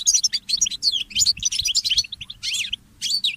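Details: Early-morning song of a goldfinch hybrid (mule): fast, sweet warbled notes and slurred chirps in quick phrases, a short gap near the end before a final twittering burst.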